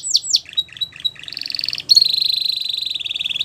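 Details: Belgian canary song for training young canaries: a few sweeping downward whistles and choppy notes, then a bright sustained rapid trill of evenly repeated high notes.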